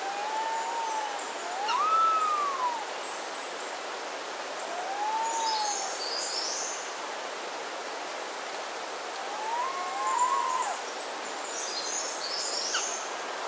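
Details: Resplendent quetzal in forest at a hotel in Costa Rica giving mellow, slurred whistles that rise and fall, spaced about every four seconds, with faint high chirps of other birds and a steady hiss behind.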